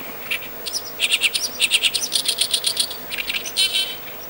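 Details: An Oriental reed warbler sings on a rainy 20 June 2013, a harsh, rapid chatter of grating, repeated notes, about six or seven per second, over a soft steady hiss of rain.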